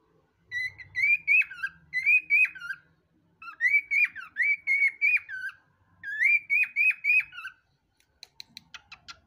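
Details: A cockatiel says a short, whistly talking phrase, asking "where's mummy" in Portuguese, three times, each a run of high, bending syllables about three seconds apart, with soft clicks at the end.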